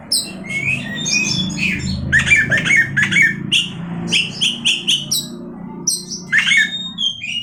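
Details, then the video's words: Oriental magpie-robin song: rhythmic bursts of clear whistled notes and quick chatter, with steady low background hum throughout. "awas Kacer nya jebol emosi dengar suara Kacer ini"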